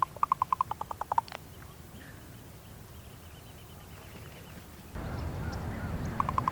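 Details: Female raven communicating with her mate, giving a fast burst of about ten dry knocking pulses in little over a second, then quiet background with a rise in low rumbling noise near the end and a few more knocks.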